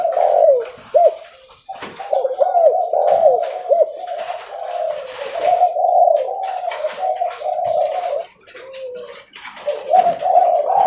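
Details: Spotted dove, leopard variety, calling at high volume while walking: a long series of low, husky coos, some with drooping ends, briefly fading before resuming strongly.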